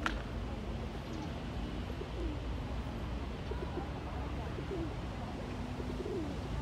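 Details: Courting male pigeon, neck feathers puffed up, dancing and cooing: faint low throaty coos repeated through the stretch over a steady background hum.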